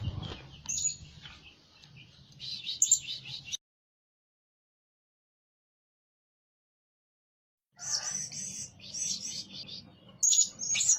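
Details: A blue-crowned hanging parrot, a decoy bird used to lure others and said to call day and night, gives shrill, thin chirps and high squeaky notes in quick bursts, with a silent break midway and a faint low hum beneath.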